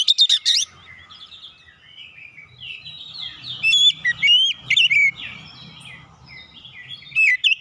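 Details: Kacer, the oriental magpie-robin, in lure song for a bird that has stopped singing: loud whistled notes open, then a run of sliding, scratchy phrases and clear whistles in quick clusters, with faint low rumble beneath.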